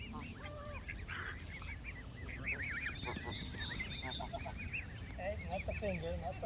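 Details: Many Canada geese honking at once, a chorus of arched, nasal calls, some nearer and louder, others distant, continuing steadily throughout with a soft low rumble underneath.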